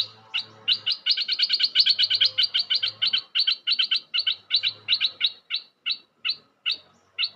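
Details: Bulbul lure call for trapping: a long run of quick, evenly repeated sharp chirping notes, about three a second, slowing slightly toward the end, over a faint low hum.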